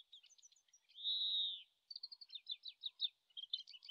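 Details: Distant Oriental greenfinch practising its song in Japan, late March, shotgun microphone: a few soft twitters, then a loud drawn-out buzzy wheeze lasting half a second, followed by a long run of quick chirping trill notes.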